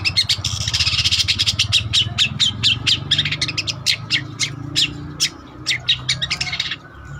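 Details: Long-tailed shrike singing energetically for use as a lure or training master: fast series of sharp, scratchy chattering notes over a low background hum.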